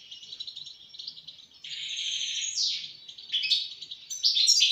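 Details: European goldfinch song of continuous high twittering, buzzy and liquid notes, growing louder toward the end.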